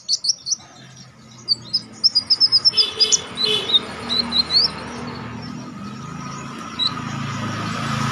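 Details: Orange-headed Thrush (konin) singing sharply in a wild style for contest-training audio: a string of quick high chips and short rising whistles over steady background noise, fading into hiss.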